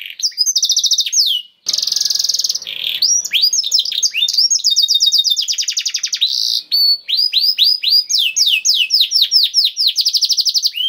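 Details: Canary singing vigorously (Indonesian 'kenari gacor', 'cengkok istimewa' special phrasing): rapid high trills alternating with sweeping rising-falling whistled notes, a brief noisy pause near two seconds, then fast repeated chirps.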